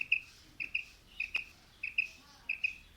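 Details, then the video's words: Quail, female and male calling: short high paired notes, clear and piping, repeated roughly every half second over a quiet background. "Female Batair Calling | Male Batair Sounds | Mix Calling| Batair Ki Awaz | Batair Ki lambi Awazay"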